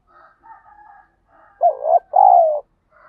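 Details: Spotted dove used for daily decoy training to provoke fighting, giving a loud two-part coo, a short note then a longer warbling note falling slightly in pitch, after faint softer cooing at the start.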